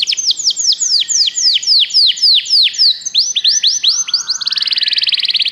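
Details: Canary song used to stimulate a pet canary to sing: repeated loud descending whistled notes several per second, followed by rising notes and a fast buzzy high trill at the end.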